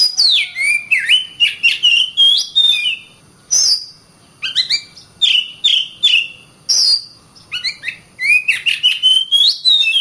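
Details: Oriental magpie-robin song for teaching other birds: clear whistled notes sliding down and up, mixed with crisp clicks and quick twitters, delivered in phrases with brief gaps.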